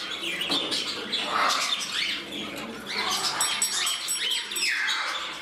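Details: Pet budgerigars indoors in a new home, one male competing for his place beside another bird; dense, rapid chirping and scratchy warbling chatter fills the whole stretch, with brief wing flutters.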